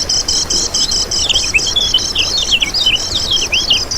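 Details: Lemon-bellied white-eye song meant as a trapping lure and tutor recording: a rapid run of buzzy pulses leads into high, slurred, downward-sweeping whistled notes in a lively chatter.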